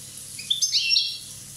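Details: A single brief burst of song from a one-year-old Corsican European goldfinch: a rising chirp followed by a rapid, bright, jangling twitter that fades out within a second.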